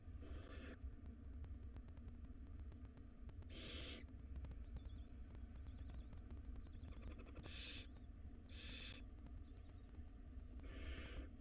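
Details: Five hungry wild barn owl nestlings at dinner time in a nest box: five loud breathy hiss-screeches spaced unevenly, with faint thin twittering between them and a low steady hum throughout.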